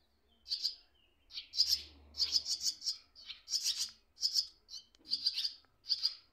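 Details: Swallow chicks in their nest, with parents nearby, one briefly visiting and the other perched on wires; harsh, high, buzzy chirps in quick clustered bursts, about a dozen bursts over six seconds, with short pauses between.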